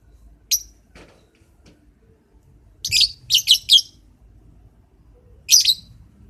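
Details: Lovebird in the morning giving sharp, high chirps: a single note, then a quick cluster of four around the three-second mark, and another pair near the end, with quiet pauses between.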